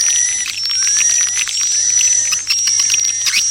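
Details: Swiftlet lure call. A dense, busy twittering of high chirps and clicks is layered over a steady, piercing high tone, with faint sliding whistles beneath.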